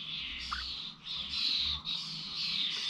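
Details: At Corby bird feeders on 21 November, starlings produce a dense hissing, grating chatter rising in loudness midway, with short dips between bursts and a low rumble in the background.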